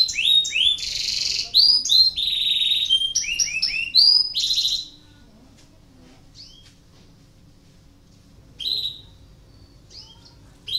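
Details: Canary in breeding condition, its song used to stimulate other canaries to sing: five seconds of fast, high, rising-and-falling whistled notes and trills, then near silence broken by a few short chirps.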